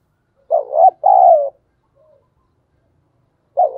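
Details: Decoy spotted dove calling: one full coo phrase, a short wavering note then a long falling coo, followed by a faint soft note and the start of the next phrase.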